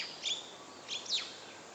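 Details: Magpie-lark, recorded 21 February 2011, giving three short, high, downslurred chirps, one early and two close together near the end, over a steady background hiss.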